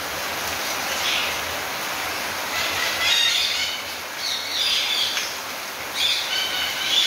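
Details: Rose-ringed parakeets kept at a breeding aviary in Minas Gerais, Brazil, squawking lively in the rain: repeated rough, scratchy bursts every second or so, growing busier toward the end, against constant rain hiss.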